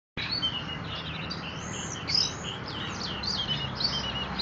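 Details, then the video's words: Orange-headed thrush, ringed, singing a fast, unbroken run of high, varied whistles and chirps, some slurred and some sharp, over a low background hum. "anis merah ring gacor"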